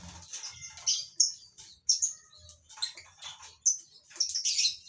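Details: Lovebirds kept in a breeding colony; sharp high chirps and squeaky calls from several birds, overlapping in bursts, with soft wing flutters.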